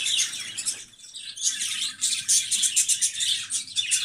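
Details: Budgerigars chattering in a busy, overlapping stream of high chirps and warbling notes, with short bursts rising and falling in quick succession and a low hum beneath.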